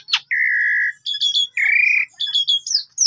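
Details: Asian pied starling in a lure recording for prompting other birds: a sharp downward note, two long steady buzzy whistles separated by chattering phrases, and rising whistled notes at the end.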